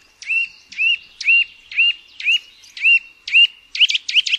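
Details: Eurasian nuthatch giving a series of sharp, clear notes, each a quick upward-flicking whistle, repeated about twice per second, ending in a faster burst of doubled notes; no other sounds.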